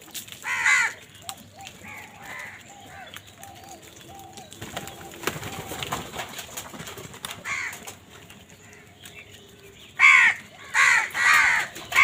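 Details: Crows fighting for food, harsh caws in bursts at the start and a run of three loud caws near the end, with softer calls and a low hum in between.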